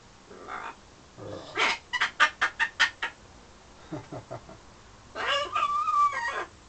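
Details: Pet parrot indoors in London courting its mirror image and birds outside the window; a rapid series of about eight clicking, clucking pulses, then a few softer notes, and finally a harsh call that ends in a level whistled tone.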